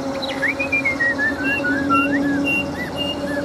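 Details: Chinese hwamei, an old wild-caught fighting bird with a forest-style voice, in a cage: varied whistled phrases sliding up and down, rapid chirpy notes strung together, with a steady low hum beneath.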